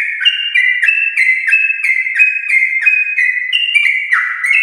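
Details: Yellow-vented bulbul of a champion line, fast continuous song meant to prompt pet bulbuls to sing; quick chirping whistles switch pitch several times a second over crisp ticking.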